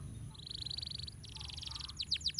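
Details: Canary master song for training birds, rolling: a rapid buzzy trill of repeated notes near the top of the range, a second dense trill, then several sharp downward-sweeping whistles at the end.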